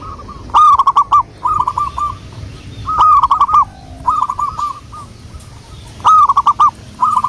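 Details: Local wild zebra dove used as a lure, giving rolling cooing phrases of four or five stuttered notes, repeated roughly every one and a half seconds, with sharp clicks between phrases and low background hum.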